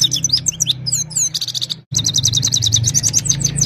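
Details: Himalayan goldfinch in evening song, phone recording: a busy stream of high chirrups and tinkling slurred notes, briefly cut off mid-way before resuming, with a noticeable low droning hum underneath.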